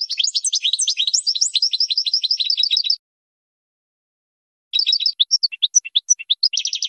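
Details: European goldfinch song used for training young birds: rapid tinkling, twittering phrases of buzzy and liquid notes high in pitch, a three-second burst, a pause of nearly two seconds, then a more varied twittering run.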